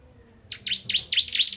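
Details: Bar-winged prinia singing a short burst of five quick high notes, each a steep down-and-up sweep, following closely one after another and running on at the cut.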